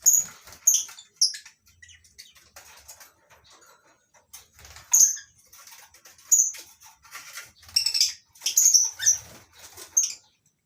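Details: Colony cage of lovebirds at morning on a breeding farm, including masked and Fischer's lovebirds: many sharp, high, clipped chirps repeated irregularly over ten seconds amid soft rustling and low background murmur.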